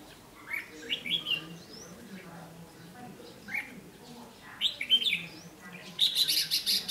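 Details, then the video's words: Red-whiskered bulbul, a caged decoy bird used in a trap to provoke and fight wild males, recorded 8 July 2016; short bright warbled phrases, rising and falling, repeated in bursts with a faint low hum beneath. "Bẫy đấu chim chào mào ché chét nạt mồi"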